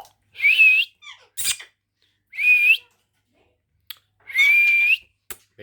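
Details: Talking pet Indian ringneck parrot indoors whistling a clear, rising then level note three times, roughly every two seconds, with short scratchy sounds between.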